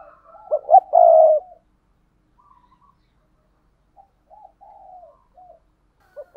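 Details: Paired spotted doves: one loud cooing phrase of quick stuttered notes ending in a sustained coo, then soft, distant coos from another bird over a quiet background.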